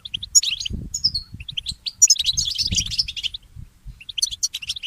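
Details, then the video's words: Goldfinch mule in early-morning song: high twittering bursts and sharp piercing notes, with a dense busy passage midway, over low background noise. "The inspiring Motif of the Mule Goldfinch"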